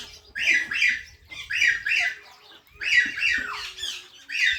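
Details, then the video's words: Natural parrot chirps: scratchy, squawking notes in paired bursts separated by short silences, four groups in under five seconds, each note bright and slightly descending. "Natural Parrot Chirping Sounds"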